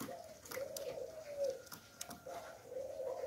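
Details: 'Hạp Bổi' voiced spotted dove calling as a lure: faint, soft coos in two short phrases over hiss, with a few light clicks.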